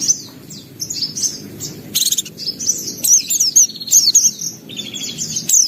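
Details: White-eye in full song, bright high chirps and short buzzy trills tumbling in quick succession with brief gaps, over a low rumbling hum.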